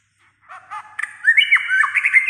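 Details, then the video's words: White-rumped shama, a bird said to sing nearly all day with many voices: varied whistled and squawky phrases, rising and bending notes between mid and high pitch, building louder toward the end. "chòe lửa sẻ hót cả ngày"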